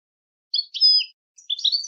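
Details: Fragment of European goldfinch tutor song for training birds to sing: a few high liquid twitters and a sliding note, a short gap, then more tinkling notes, clean and without other sounds.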